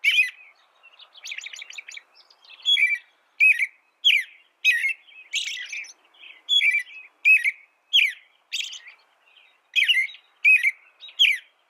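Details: American robin song, intended as a tutor recording for training cage birds: a steady run of short caroling phrases around the mid-high range, each with a thin squeaky overtone, delivered roughly every half second against a clean, silent background.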